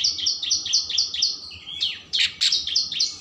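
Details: Oriental magpie-robin 'isian mewah' song, played to rouse emotion and tail opening: a fast even series of high chipping notes, about four per second, broken by a lower buzzy slur and sharp harsh notes, then the series resumes.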